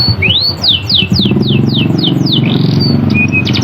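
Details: Canary song used as a lure to prompt reluctant canaries to sing: a series of clear downslurred whistled notes repeated rapidly about four per second, then a short trill, over a steady low hum and background noise.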